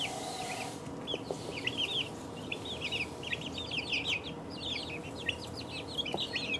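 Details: Several two-week-old chicks cheeping, a brief quiet start then a busy run of shrill, falling peeps overlapping from many birds, with a faint low hum and a couple of soft knocks.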